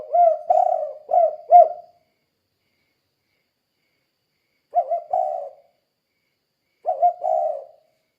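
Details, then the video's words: Spotted dove calling energetically in the kuk-kuk style, used as a lure to make other doves answer; a quick run of three low husky coos, then two shorter coo phrases after long silent pauses. "Suara Burung Tekukur Gacor Kuk 2 Untuk Pancingan Derkuku"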